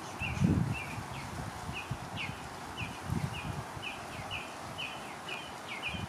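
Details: Hand-fed Western bluebird calling with brief, soft chirps repeated about every half second, while low thumps and rustling handling noises come and go.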